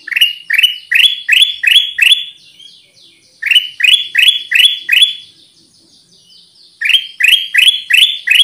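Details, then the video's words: Lure recording of a Black-capped bulbul: three quick runs of sharp upward-sweeping chirps, roughly six, five and five notes, each run followed by a short quiet gap. "SUARA PIKAT AMPUH KUTILANG EMAS"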